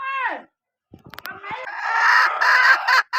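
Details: Hen vocalizing: a loud falling note, a pause with a few clicks, then a long, loud, harsh call broken into sustained bursts near the end.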